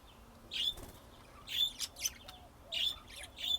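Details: Texas budgerigars giving clusters of bright, piping chirps in short bursts, with faint lower whistled notes between them.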